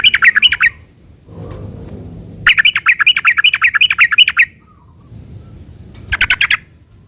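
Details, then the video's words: Lure song of a sooty-headed bulbul, sung in a long rambling style to make other bulbuls call back: three bursts of quick, bubbly chattering notes separated by pauses filled with soft background rustling. "trucukan gacor ROPEL PANJANG ini buat pancingan trucukan agar bunyi"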